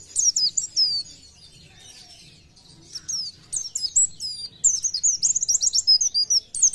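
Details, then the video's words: Energetic 'gacor nembak' song of an Oriental white-eye, meant to push others into singing: a few high twittering notes, a quiet pause, then a rising stream of sharp, rapid, chattering notes. "PLECI GACOR NEMBAK BIKIN PLECI TAMBAH GACOR"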